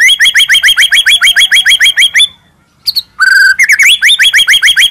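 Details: White-rumped shama in a full-isian masteran track: long run of fast repeated chipping upslurs, a brief silence, a harsh buzzy note, then the rapid chipping series picks up again.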